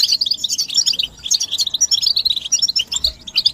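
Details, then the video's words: Goldfinch mating and readiness calls in a group chatter used to rouse silent males into song: rapid clusters of high, ringing chirps in short pulsing bursts with a faint low thump near the end. "بتبتة الحسون تحفيز الحسون على التغريد والهيجان علاج صمت الحسون goldfinch stimulation"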